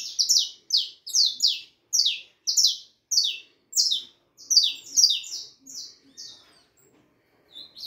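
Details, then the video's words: A 4.5-month-old harlequin saffron finch delivers a clear, loud run of crisp downward-sweeping notes in pairs and triplets, evenly spaced over six seconds, then a short pause. "canario da terra filhote arlequin cantando muito 4 meses e meio de vida canario ancestral"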